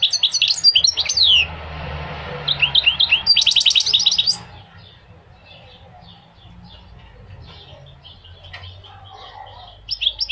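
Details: Goldfinch song meant to teach young birds and motivate males: two bursts of rapid twittering chirps separated by a hiss, followed by a long quiet stretch with faint notes.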